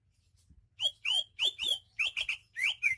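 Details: Greater green leafbird from Banyuwangi, singing persistently: a run of loud whistled notes, each sweeping sharply down from high pitch, delivered in quick irregular succession, over a faint low hum.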